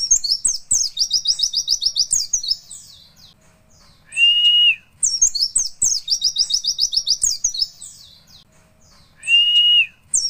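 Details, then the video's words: Javan white-eye performing the nembak witwit song style, fast high twittering notes tumbling downward, then a steady drawn-out whistle with a buzzy edge, phrases recurring about every five seconds over a quiet low background hum. "pleci nembak witwit"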